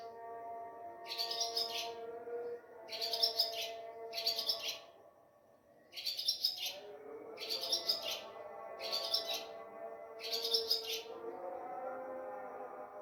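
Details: On a moonlit night before dawn, at Sehri time, an Ababil (swallow) chirps at a home: seven regular bursts of high, rasping twitters, each about half a second, with a pause midway, over a faint background Azan; mobile phone recording.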